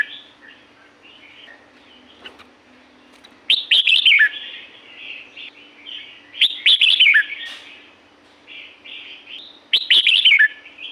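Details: Natural red-whiskered bulbul song from La-u forest: three loud, bubbly, chattering phrases about three seconds apart, with soft warbled notes filling the gaps and a quiet steady hum behind.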